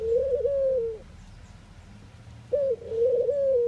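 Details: Two drawn-out, low, wavering coos from a Eurasian collared dove, Netherlands, each about a second long and separated by a quiet pause of roughly a second and a half.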